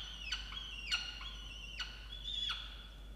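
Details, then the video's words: On 8 November 2022, a peregrine falcon in a nest box on a water tower in Orange, New South Wales, Australia, calls angrily at its mate for not bringing breakfast: four loud, grating, nasal cries with downward-swept endings, spaced irregularly. "Indigo angry on Dimaond for not bringing breakfast"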